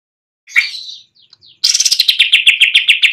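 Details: Greater green leafbird singing actively on its perch: a short buzzy warble and a few faint notes, then a fast, even train of high chirps that drift slightly downward.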